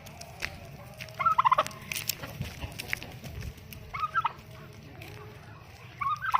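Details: An angry tom turkey gobbles three times, each a quick, bubbling, throaty rattle about two or three seconds apart, over a low background hum.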